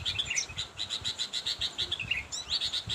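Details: Sooty-headed bulbul summoning a rival: a steady rapid series of bright high chips, with brief slurred, falling notes woven in and a quick upward sweep near the end.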